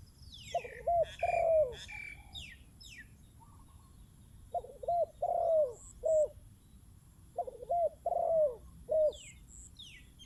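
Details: Spotted dove calling around a decoy bird: three soft cooing phrases, each a short note, a long sagging coo and a clipped ending. Higher chirps from other birds come in between.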